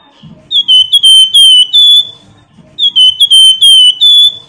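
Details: Flamboyan singing loudly: two fast whistled phrases of clear, slightly descending notes, each ending in a sustained ringing tone, with faint low background noise.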